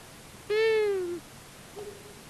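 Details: At a common buzzard nest in Tiszavasvári, Hungary, on March 23, 2022, a visiting long-eared owl pair is heard: one strong nasal wailing call sinking slightly in pitch, followed by a faint, lower, short answering note.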